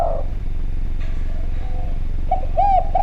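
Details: Spotted dove from Java, recorded as a lure sound: a fading coo at the start, faint soft notes, then a few short clipped coos near the end over a heavy low rumble.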